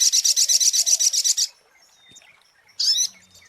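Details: Brown-throated sunbird lure recording: a quick run of high, buzzy trilled notes for about a second and a half, then near silence, ending with one short high burst.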